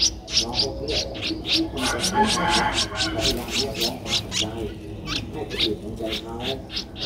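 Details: A 12-day-old Streak-eared Bulbul nestling, in Ubon Ratchathani, Thailand, 14 April 2023, gives rapid, harsh, high chirps, about three a second, over a low murmur of human voices.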